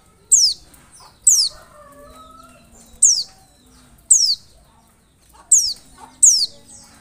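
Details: Oriental white-eye lure call meant to make other white-eyes answer: sharp, very high notes that slur steeply downward, about six in seven seconds at uneven intervals, over a faint low background hum.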